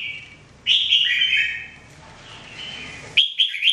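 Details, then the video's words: Jambul, the red-whiskered bulbul, singing during training: a bright warbled phrase of slurred descending notes, a softer pause, then quick sharp chirps at the end. "Training Jambul bird singing everyday 2017"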